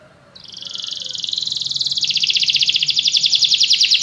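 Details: Canary song: a bright rolling trill that swells in loudness and rises slightly in pitch, continuous and rapid over several seconds.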